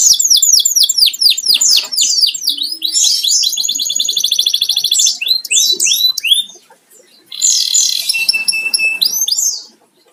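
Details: Pet canary kept at home, singing as company for coffee: rapid trills of repeated high upward-sweeping notes, buzzy rolled phrases and a brief pause before a fresh burst of sweeping syllables.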